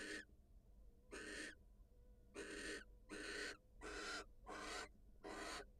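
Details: Female barn owl, wild, leaving the nest to greet her mate: a run of seven rough, wheezing hiss-screeches, spaced irregularly and coming closer together toward the end, over a faint steady tone.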